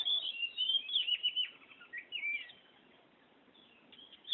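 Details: Oriental magpie-robin, or kacer, in a busy ngerol song: rapid chains of high whistles and twisting warbled notes for about two and a half seconds, then quieter scattered notes.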